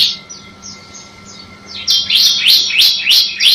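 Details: Bar-winged prinia song used as ciblek masteran: soft, thin notes at first, then loud, sharp chirps repeated steadily about three times a second to the end.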